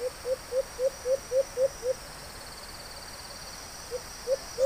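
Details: White-eared brown dove calling in the wild during a hunt: seven soft, low hooting notes evenly spaced about a quarter second apart, a two-second pause, then the hoots start again. A steady high insect hiss runs throughout.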